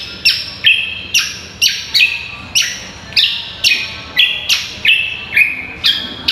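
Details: Training song for contest birds from a greater green leafbird: a steady series of loud, sharp notes that drop in pitch, repeated roughly twice a second, each clearly separated.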